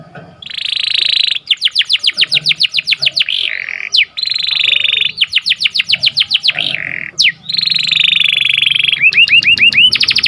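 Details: Morning canary song made of rapid tours: a dense buzzy trill, quick rattles of sharp repeated notes, a rising whistle, more rattles, a long buzz, and a closing run of short upswept chirps.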